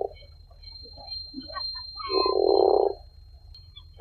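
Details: Faint scattered short murmurs lead into a single loud, rough groan of almost a second from a tufted puffin, low and nasal in tone, followed by quiet.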